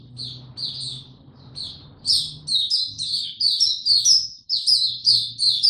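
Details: White-eye in song during warm, very humid weather, a few spaced high chirps building into a fast, jumbled twittering run, with a low hum in the background.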